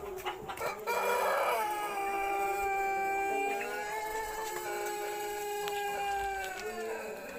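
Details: Jumbo pelung rooster from a champion bloodline, crowing after moulting while affected by a rattling 'ngorok' breathing condition and under treatment: a rough, noisy onset, then one very long drawn-out harmonic note held steady for about six seconds, dipping slightly at the end.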